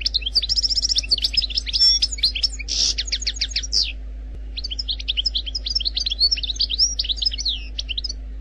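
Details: Wild-type song of an Algerian goldfinch, a fast stream of sharp twittered notes and trills with a brief harsh buzzy note mid-phrase, a short break near four seconds, then more liquid chirping phrases, with a low background hum.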